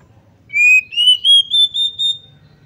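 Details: Female Oriental magpie-robin calling to provoke males and make them fight and fan their tails: a pure whistled series of five or six linked notes, each slightly higher, climbing steadily over about two seconds against a quiet background.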